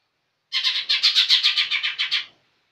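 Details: Energetic gacor song of a young green leafbird: about twelve fast, evenly spaced, harsh chirps in under two seconds, a buzzy chattering sequence with nothing else audible.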